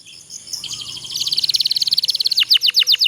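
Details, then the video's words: Canary long rolling song for prompting lazy canaries: faint start, then an accelerating even pulsed trill building louder, breaking into spaced falling notes at the end. "suara kenari pocong ngerol panjang sangat ampuh untuk masteran kenari loyo malas bunyi jadi gacor"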